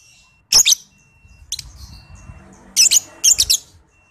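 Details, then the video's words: Young lovebird, below five months, recorded to prompt other lovebirds to sing. Grating, stuttering screech bursts come singly and in doubled pairs, with low rumbling noise beneath. "JAGONYA PANCINGAN MASTERAN LOVEBIRD PAUD BALIBU"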